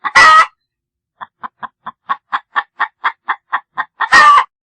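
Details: Loud rasping squawk, then a regular sequence of about fourteen short clucks, ending with another harsh, drawn-out squawk from a chicken.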